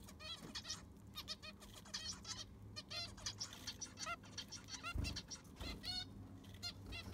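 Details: Aviary zebra finches while their sand is being replaced: a busy stream of short nasal honking calls from several birds, many per second, with a brief thump and low background hum.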